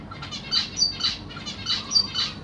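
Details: Zebra finch family in a large cage, 25 June 2023, parents feeding three juveniles and three newly hatched babies; high thin chirps in quick clusters, several overlapping, with a low hum underneath.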